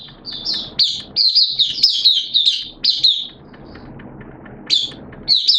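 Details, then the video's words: Oriental white-eye (Mata Puteh) kept as a hobby bird, 'buka sing' opening song, 11 September 2022, wet and erratic weather: vigorous high twittered phrases of sharp up-and-down notes, a quiet gap, then two more bright bursts. "Mata Puteh T-Rex Buka Sing"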